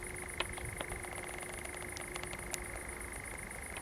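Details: Common nightjar singing at night in a pine wood at Zamudio, Txorierri, Bizkaia, Spain, on 7 July 2020, while fireflies glow; a steady mechanical churr holds one pitch, with sharp clicks and a high continuous insect-like hiss behind.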